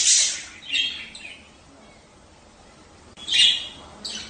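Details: Budgerigar calls from a mating recording played to encourage pairs to lay: a loud rasping squawk opens, followed by softer chirps, a quiet pause, then another strong squawk after three seconds.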